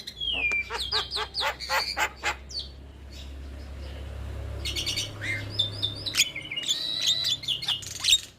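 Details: Young starling training recording, meant to be played routinely to get quiet birds singing: a fast series of sharp chirps and whistles, then a pause, then dense clusters of clicks, squawks and twittering notes over a low steady hum.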